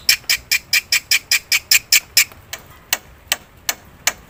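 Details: Lure recording of a black-winged myna: a quick run of sharp, ticking squawks that slows into a few spaced, thinner notes near the end.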